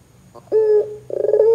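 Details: Barbary dove calling so that other doves quickly join in: a short low rolling note, then a steady hollow coo with a pulsing, throbbing finish.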